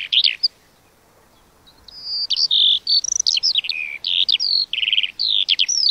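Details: After a short high chirp and a pause of over a second, a lark launches into fast, varied high twittering with sliding whistles and buzzy notes, continuing to the end.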